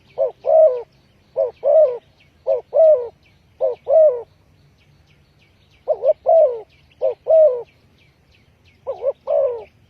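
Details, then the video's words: Lure call of a spotted dove for trapping, bursts of paired low coos with slightly wavering long notes, several pairs in a row, a pause, then more, with soft chirping of small birds above. "Chim cu gáy chiêu kích mồi tập bổi nhanh nổi hiệu quả"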